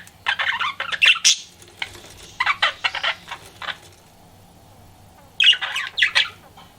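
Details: Flirting pet budgerigar giving bursts of harsh, buzzy chatter mixed with squeaky chirps, in three clusters separated by a quieter pause, with a faint hum behind.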